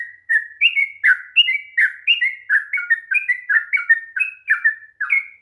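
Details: Sooty-headed bulbul pouring out a 'ropel panjang' song intended to make a lazy bird sing; bubbling whistled phrases, some rising and some falling, repeated rapidly about eighty times a minute.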